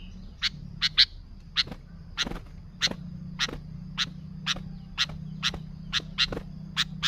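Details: Sooty-headed bulbul lure sound: evenly spaced sharp chip notes, roughly two per second, over a steady low background hum.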